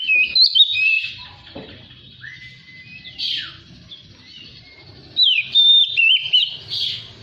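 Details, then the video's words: Magpie-robin song intended as a lure for kept birds: looping whistled phrases, a long level whistle, a downward sweep, then a loud closing burst of twisting whistles, with soft low hum throughout. "SUARA PANCINGAN KACER BAHAN. DIJAMIN LANGSUNG GACOR DAN BUKA EKOR"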